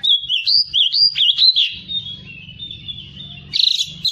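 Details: A white-rumped shama sings quick wavering whistles, then a long drawn-out steady whistle ending in a brief scratchy flourish, with a low rumbling hum beneath.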